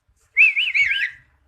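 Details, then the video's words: Caged black starling kept by a Quran teacher, a bird that sings like other birds and imitates human voices, giving one wavering, warbled whistle under a second long, rising and falling in quick undulations. "BURUNG JALAK HITAM(bull black starling)BERKICAU DAN BERSUARA MANUSIA"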